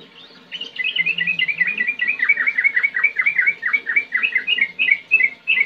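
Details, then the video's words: Trucukan, the yellow-vented bulbul, in energetic ngetir ngerol song: a dense, rapid run of bright, slurred whistles and chirps, with a brief low murmur near the start. "Trucukan Gacor Ngetir NgeroL"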